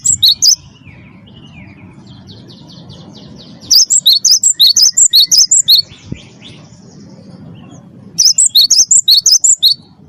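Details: Cinereous tit song used as a lure to get captive birds singing: three bursts of rapid, high whistled notes alternating between two pitches, separated by quieter pauses with faint chatter and low hum.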